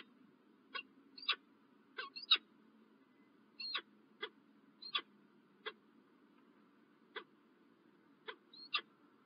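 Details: Peregrine falcon at Illkirch-Graffenstaden, France, in the morning of 27 January 2023, giving spaced harsh notes, sometimes paired, with brief whistled slurs, separated by gaps of up to a second over a low constant hum.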